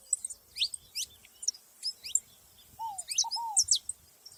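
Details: Saffron finches in nature, giving scattered high, sharply sliding chirps with gaps between them, plus one low double down-slurred whistle midway, over a quiet background.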